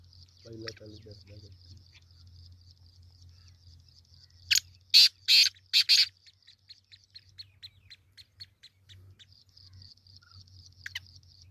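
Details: Kala teetar, the black francolin, on 22 February 2025. Faint high ticking notes run throughout, broken midway by a loud series of four grating, scratchy bursts. Short low chattering sounds come near the start.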